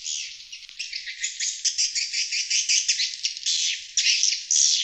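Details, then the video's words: Wild-bird lure recording of swiftlets: shrill, scratchy twitters pulsing under two times a second, starting softer and growing louder toward the end. "Suara Panggil Sriti Luar"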